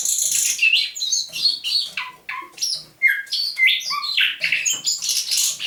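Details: Dawn song of a caged thrush nightingale, trapped near Saint Petersburg in May 2019, recorded 27 November 2021: a harsh high rasp opens, followed by clipped downward whistles and short level tones in rapid, uneven succession.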